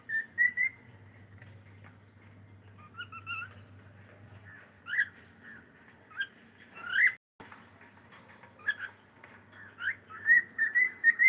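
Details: Cockatiel at play, whistling a loose, rambling song of short rising and falling notes, some upslurred, scattered irregularly with brief gaps and a low hum behind.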